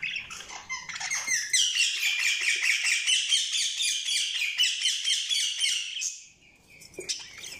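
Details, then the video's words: Budgerigar chirping: a long, fast, rhythmic chatter of buzzy pulsed notes lasting about five seconds, then a pause and a single sharp chirp. "Budgies Sounds| Budgies Chirping sound"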